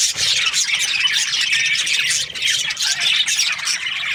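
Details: Breeding-season flock of Australian budgerigars chattering cheerfully: a steady wall of high, rasping twitters, squeaks and warbles from many birds overlapping continuously, with no quiet gaps.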